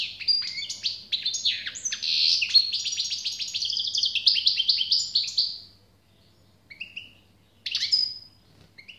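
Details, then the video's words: European goldfinch delivering a long run of fast, tinkling twitters and trills for about five seconds, then a few scattered single chirps after a pause. "SAKA ÖTÜŞÜ"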